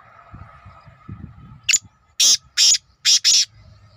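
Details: Black francolin giving a harsh, grating call of four loud, rasping bursts in quick succession, preceded by a short sharp note, over a faint steady background hum.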